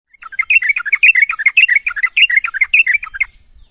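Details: Sooty-headed bulbul calling to its companions in the morning: a fast, dense run of short whistled, bubbly notes, rising and falling, lasting about three seconds over a steady high hiss.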